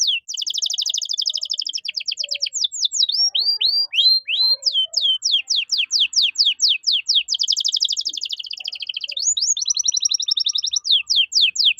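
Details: Caged canary song used as a master recording to train other songbirds, with fast repeated down-sweeping notes, buzzy rolled trills and rapid chirps running continuously high in pitch.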